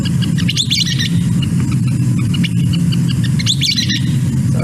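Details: Western Kingbird (Tyrannus verticalis) call: two quick bursts of high, squeaky-toy notes, a couple rising then descending, about three seconds apart, over a steady low rumble; the up-then-down pattern separates it from the scissor-tailed flycatcher's rising-only call.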